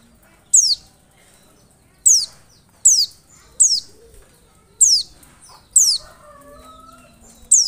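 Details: Lure sound of an Oriental white-eye meant to make birds reply: six sharp, high notes falling in pitch, spaced irregularly one to one and a half seconds apart, with faint lower warbling from other birds between them.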